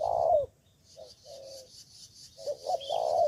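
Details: Spotted dove, a Cà Mau decoy bird answering rivals, opening with a loud falling coo, then softer coos, ending with another strong coo; a high thin chirp and faint hiss behind.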